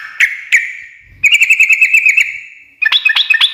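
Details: Two sharp single notes, then a rapid one-second chattering trill and a final burst of busy twittering, sung by a sooty-headed bulbul in energetic 'ngekek' style said to set other birds answering.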